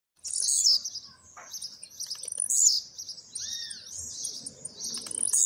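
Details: Kept Blue-black grassquit emerging from molt, delivering fast, trilling song: bright, high chirped bursts in irregular phrases with one lower arched whistle and brief pauses between.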